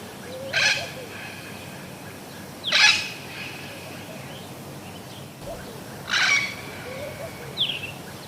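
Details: Budgerigars kept as exhibition birds give three harsh, broadband squawks spaced about two to three seconds apart, then a short rising chirp near the end, over a steady background hiss.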